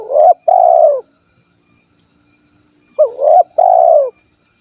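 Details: Two cooing phrases from a spotted dove of the 'kuk 1' variety in Cilacap, Central Java: a short curled lead note, a brief coo and a longer sinking coo, repeated after about three seconds, with a steady thin whine in the background.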